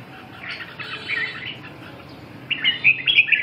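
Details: Red-whiskered bulbul, faint blurred twittering at first, then a sharp burst of bright, quick whistled notes in the final second.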